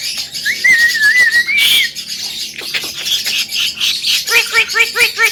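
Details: Male Javan myna said to be able to talk like a parrot: a long wavering whistle, then harsh scratchy bursts, ending in a fast run of short nasal, squawky notes repeated about five times per second.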